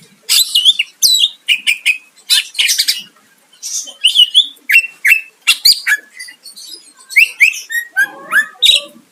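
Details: Greater green leafbird giving varied, energetic song to lure a rival: sharp chips, slurred whistles and harsh mimic-like phrases in quick bursts, closing with scratchy lower notes.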